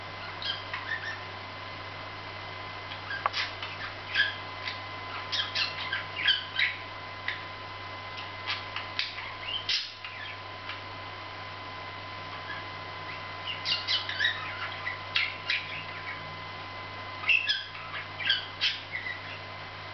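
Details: A budgerigar, apparently sleeping and talking at the same time, chatters in bursts of scratchy, high chirps and squawks over a steady electrical hum.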